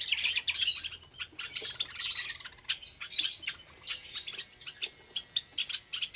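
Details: Java sparrows in an aviary cage on a Sunday morning, 8 May 2022, with newly hatched chicks, chatter in a busy mix of high, squeaky chirps and harsh squawks. Several birds call over one another in quick bursts.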